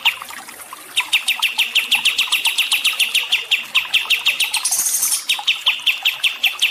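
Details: Chirping songbird on a water-therapy recording for calming stressed birds: a soft start, then rapid, even, sharp chirps repeated about three times a second, broken by a brief high hiss.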